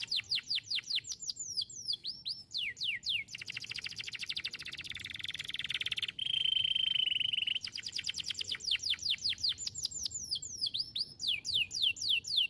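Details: Canary singing, recorded as training song for other songbirds: rapid runs of sweeping downslurred whistles, a dense buzzy passage, then a long steady rolling trill before the quick downslurred notes resume.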